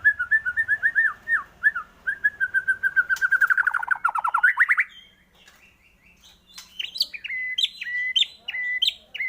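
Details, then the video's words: White-rumped shama singing to spur other shamas into song: a long even series of quick whistled notes that speeds into a dense rising trill, a short pause, then higher jumping whistles. "pANCINGAN pendongkrak emosi burung murai batu cepat gacor mudah bongkar isian"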